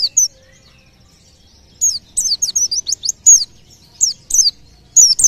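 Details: White-eye song said to make nearby birds join in: scattered loud, high chirps and quick descending slurs in short clusters, separated by brief silent pauses.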